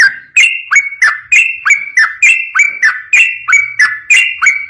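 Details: Yellow-vented bulbul in energetic long-roll 'ropel' song for a master recording: paired whistled notes, a higher one followed by a lower one, repeated steadily about three times a second throughout.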